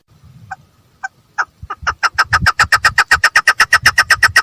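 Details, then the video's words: Female chukar partridge: sparse single notes over low background rumble, then accelerating into a fast, loud, even train of harsh chucking notes. "female partridge voice|mada chakor ki awaz|keklik sesli"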